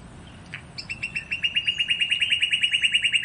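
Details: Northern cardinal song: after a soft opening note, a fast, even trill of short, clear, slightly downslurred notes builds in loudness, with about twenty notes packed into under three seconds and steady faint background hiss.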